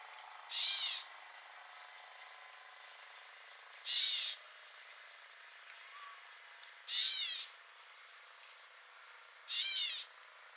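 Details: Gray Catbird at Newman Lake, Washington, USA: four harsh, nasal, cat-like mewing calls, each about half a second and slurring downward, spaced roughly every three seconds over a steady background hiss.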